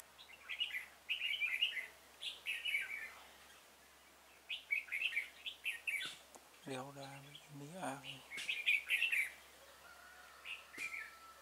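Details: Red-whiskered bulbul at a trap set for wild birds, 26 February 2018, repeating lively warbled phrases in clusters. A man speaks briefly midway, and the phrases resume afterward.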